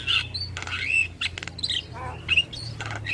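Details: Javan myna song used as a lure to make other starlings respond: a jumble of squawks, harsh buzzy bursts and short sharp whistles in quick varied phrases, over a low steady hum.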